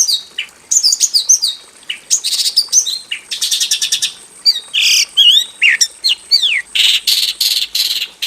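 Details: Javan bush lark kept in a simple aviary cage, female calling the male: rapid varied song of sharp chirps, descending whistled slurs and buzzy trilled bursts, delivered in dense, nonstop phrases.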